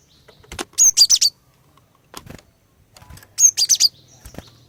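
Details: Female cinereous tit singing to lure males into song: two bursts of three or four sharp, high, rapid whistled notes, the bursts about two and a half seconds apart, with soft clicks and quiet gaps between.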